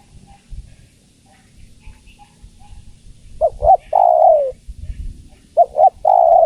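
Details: Female spotted dove calling the male. After a quiet start with soft faint notes, two short coos lead into a longer, steady coo, and the phrase repeats at the end.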